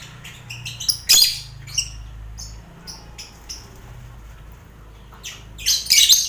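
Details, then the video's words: Lovebird colony cage shared with finches and quail for competition mental training: scattered sharp squawks and chirps, a loud harsh cluster early, quieter spell, then strong shrill calls at the close. "Sound Koloni Lovebird"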